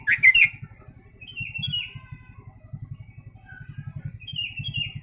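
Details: Yellow-vented bulbul giving a song that copies the sooty-headed bulbul: a loud chirpy burst at the start, then soft downslurred whistles and a few scattered notes, with a constant low motor-like drone underneath.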